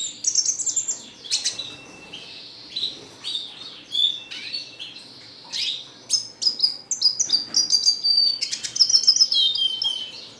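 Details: A long bout of red siskin song: fast, chattering twitter mixed with buzzy rising slurs and thin whistled notes, speeding into a dense trill toward the end.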